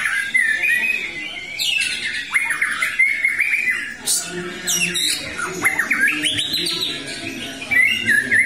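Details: Caged white-rumped shama in post-moult comeback condition singing loud continuous varied phrases: whistled slides, rapid chatters and sharp upsweeping notes, with faint background noise.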